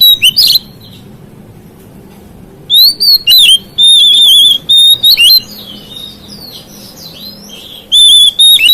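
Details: Kacer, or oriental magpie-robin, singing to rouse rival magpie-robins: a short opening note, a two-second pause, then a long run of loud, trilled high whistles and sharp upsweeps in several bursts.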